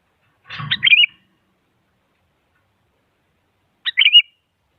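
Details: Sooty-headed bulbul calls used to stir a silent bird into song: a warbled whistle phrase with a brief low rustle or thump at its start, then a second, cleaner phrase about three seconds later.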